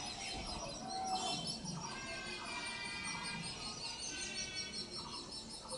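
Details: Indian grey hornbill, a parent feeding its young, giving harmonic, squealing calls in short stacked bursts. High, thin chirping from other birds or insects runs steadily behind.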